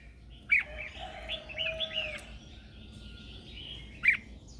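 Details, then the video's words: Red-whiskered bulbul decoy singing in the morning to attract other birds and train their song: two loud, clipped whistles several seconds apart around a soft, wavering warble. "Luyện giọng cho chào mào hót sáng căng lửa kích chim mộc hót siêu hay, Chào mào mồi hót gọi bổi"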